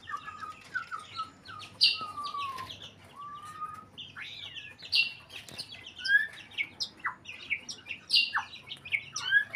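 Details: Varied song from a white-rumped shama in breeding condition: low whistled slurs at first, then a lively mix of sharp high notes, upswept whistles and chirps, rising in energy toward the end.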